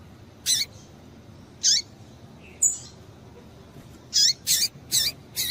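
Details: Female double-collared seedeater calling to excite males; short high sharp chirps, some doubled, spaced irregularly about a second apart, then a faster run of four near the end, over faint background hiss.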